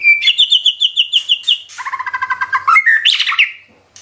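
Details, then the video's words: White-rumped shama, gacor bird, nembak with isian: a fast run of about a dozen identical high chips, then a lower rapid stuttering series, ending in a sharp rising whistled flourish. "Murai batu nembak isian gacor"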